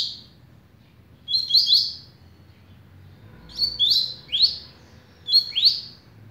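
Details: Beginning song of a patrão double-collared seedeater, a velocista: three bright phrases of two or three fast downward-sliding notes, repeated about every two seconds over a soft low rumble.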